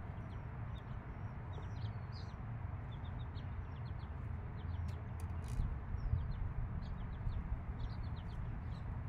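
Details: Mother hen with her five-day-old chicks; the chicks keep up high, short, descending peeps, clustered in bursts across the whole stretch, with occasional clicks and a continuous low hum.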